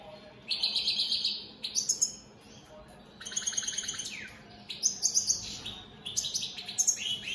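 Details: Goldfinches of the opal split Satane mutation in full song: sustained buzzy trills, ringing high chirps and fast liquid twitters in three lively bursts, one brief lull between them.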